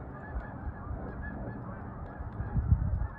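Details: Canada geese flying high in large groups on 1/4/26; continuous layered honking from many birds, fairly even throughout, with a brief louder patch toward the close over low background rumble.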